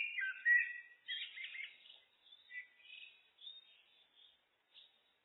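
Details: Common blackbird (Turdus merula) song: an opening fluty whistled phrase followed by a burst of scratchy warbling, then a string of quieter, scattered twittering notes that fade out in a calm, otherwise silent setting.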